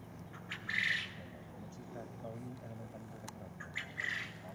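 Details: A call duck, a domestic duck, gives two loud, harsh, high-pitched quacks about three seconds apart, over a low background murmur that may be voices.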